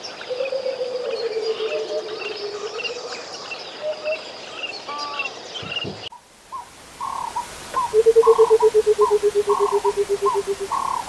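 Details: Burchell's coucal, known as the rainbird, calling in the Kruger. A low, bubbling run of hoots slides gently downward, then a second, faster run of evenly spaced hollow hoots follows. Another bird repeats higher short notes alongside.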